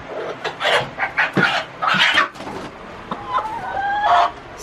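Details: Backyard hens in a barn on a rainy morning, fussing and fighting over a nesting box while trying to lay; loud, harsh clucks and squawks in quick bursts, ending in drawn-out, higher whining notes, protesting another hen occupying the wanted box.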